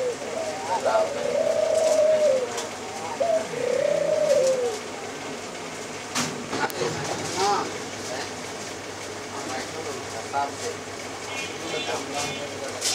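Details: White dove giving two long, low, smoothly arched coos in the first five seconds, each about a second long. Softer, broken cooing sounds and a few sharp clicks follow over a steady background hum.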